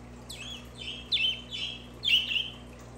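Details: Budgerigar song for pet budgies: a run of quick warbled notes, each sliding downward and slurred together, with a louder scratchy phrase near the end.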